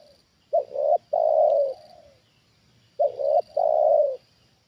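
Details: A trained spotted dove reacts to a wild bird descending a second time, repeating two loud coo phrases about 2.5 seconds apart. Each has a short double note, then a long, slightly falling coo. A faint high drone runs throughout.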